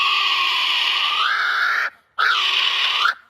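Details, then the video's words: A kiwi gives two loud, harsh, shrill cries, the first long and sweeping upward near its end, the second shorter with a rising then falling inflection. "This is a kiwi. Here's what its call sounds like."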